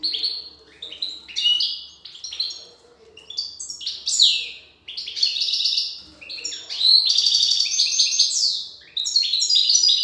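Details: European goldfinch female feeding chicks; near-continuous high, buzzy chattering and twittering for ten seconds, loudest in the second half, over a faint low hum.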